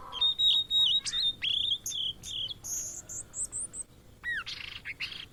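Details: Blue-and-white flycatcher, a migratory bird often found in Indonesia, in lively song: clear sustained whistles, then a string of very high thin notes and descending slurred phrases. Rapid, varied delivery with brief gaps.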